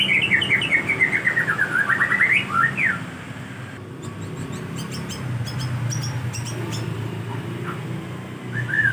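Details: White-rumped shama song used as a lure so other shamas answer: a quick run of slurred notes stepping downward then rising, a pause, then scattered sharp high chip notes and a final short whistled phrase.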